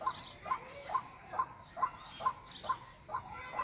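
White-breasted waterhen giving a steady run of short, hoarse mid-pitched notes about twice a second, with a faint high chirp from another bird twice.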